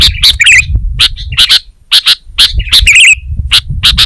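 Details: Sooty-headed bulbul in full gacor song, with sharp chips interspersed with a few quick, fluty, wavering phrases and brief pauses; low rumble underneath.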